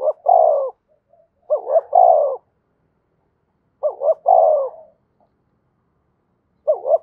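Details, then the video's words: Rhythmic calling of a Spotted dove from Đồng Nai, Vietnam, to lure wild doves: a looped double coo followed by a long falling croo, repeated roughly every two to two and a half seconds in a quiet setting. "Tiếng cu gáy Đồng Nai gáy gọi và thúc mới nhất, chim cu gáy kích bổi"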